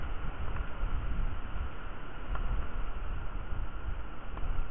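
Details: Outdoors in Dorset on 30 July 2023 at 07:59, a constant low rumble and hiss dominates, with a faint hum and a few soft ticks but no distinct animal call.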